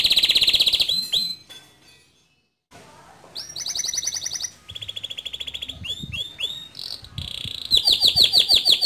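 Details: Male canary singing in the gacor ngerol nembak style, used as a tutor recording for young canaries: a bright high trill, a brief silent pause, then rapid rolling trills, sweeping downward notes and sharp repeated whistles.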